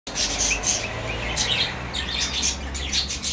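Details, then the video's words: A common bulbul (Moroccan bulbul) gives bright, chattering chirps and short sharp whistles in quick uneven bursts, over a low steady hum. "الوطواط المغربي ولاعة لا مثيل لها"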